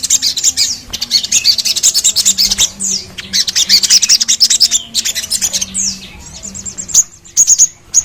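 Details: Sogon, or crimson sunbird, singing: fast, busy stream of high thin chirps and warbled trills with a few downward-sweeping notes, briefly pausing before sharp final notes over a faint low hum.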